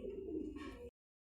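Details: Deep, muffled cooing from a grizzle racing pigeon, one rolling low note of about a second ending in a short rustling noise before cutting off.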